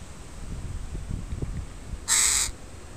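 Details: Crow from a family with young in a park: after two seconds of low rumbling and shuffling, a single loud, harsh caw lasting under half a second.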